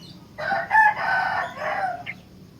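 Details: Sooty-headed bulbul singing to train and attract other bulbuls; a loud, rich, warbled phrase of about one and a half seconds with liquid rolling notes, a brief pause, then a shorter, softer ending phrase.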